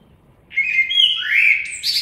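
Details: Common blackbird singing: a clear fluting warble, low mellow whistled notes sliding into higher, thinner twittering at the end of the phrase, in a quiet setting.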